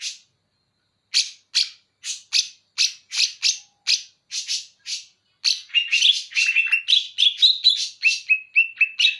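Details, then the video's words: Greater green leafbird of Banyuwangi origin using bearded bulbul song as material: a string of sharp repeated chips, then a lively sequence of whistled and warbled notes, some held at one pitch. "Cucak Ijo Banyuwangi Materi Cucak Jenggot"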